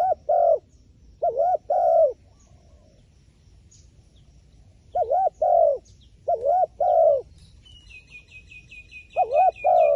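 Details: Wild pigeon cooing in a repeated pattern: short paired notes, a wavering note, then a long held hoot, the phrase returning after a pause, with a high bird's rapid chatter near the end.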